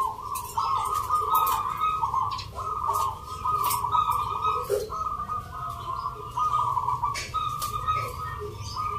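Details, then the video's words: At a Yogyakarta zebra dove singing contest judged on Mentaraman Nglagu Ngepat rhythm, many caged local birds pour out almost continuous trilled cooing. Faint voices and clatter come from the crowd. "Pertarungan sengit Perkutut lokal irama 😱Suaranya ngerih"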